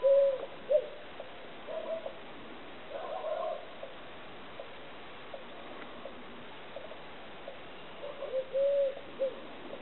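Eurasian collared dove giving soft, low, hollow coos in brief groups, with long pauses between them, over a quiet hiss of background noise.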